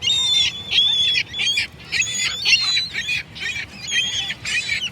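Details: Gulls repeatedly cry out in loud squealing bursts about half a second long, several birds overlapping, separated by short quieter gaps.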